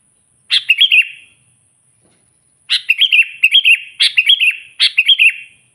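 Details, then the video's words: Sooty-headed bulbul singing vigorously to lure wild bulbuls: one bubbly warbled phrase, a silent gap, then three rapid phrases in close succession, each a cluster of quick, bright notes. "suara burung kutilang gacor memanggil kutilang liar suara asli alami"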